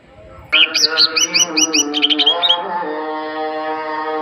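Greater green leafbird giving a quick run of about a dozen bright, high chirped notes over two seconds, against a steady droning hum.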